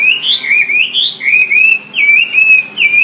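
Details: Wambi singing as a tutor for songbirds, a string of pure whistled notes that dip, rise and level off, about one phrase every half second, clean and close with little background.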